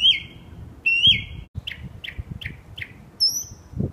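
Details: Northern mockingbird singing at night in West Brighton, captured by a sleepless resident; two long buzzy whistles give way to a string of short sharp chirps, then a thin high whistle, with faint low rumbling underneath.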